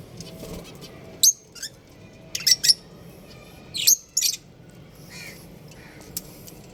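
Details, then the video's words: Budgerigar breeding pair kept as home pets, chirping: short sharp high chirps and squawks in loose bursts, several clustered together, with quiet gaps between and a faint low background hum. "Cute Budgies Chirping Sounds"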